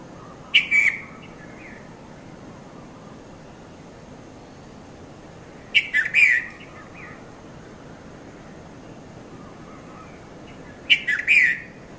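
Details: Red-vented bulbul, locally Konda Kurulla, calling at dawn between 5:30 and 5:40 a.m. in Mount Lavinia, Sri Lanka, filmed on a Nikon Coolpix P510: three brief chirpy bursts about five seconds apart over a steady background hiss.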